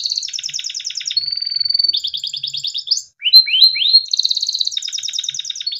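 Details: A yellow Timbrado canary, used as a training song, sings fast, high rattling trills, holds one pure steady whistle, then slurs several rising notes before rolling back into rapid trills; finding: Belgian canary.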